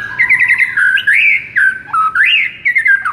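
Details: White-rumped shama song played to stir a listless bird into singing: a rapid trilled phrase, then fluid rising and falling whistles, some sharply slurred, in a continuous varied stream.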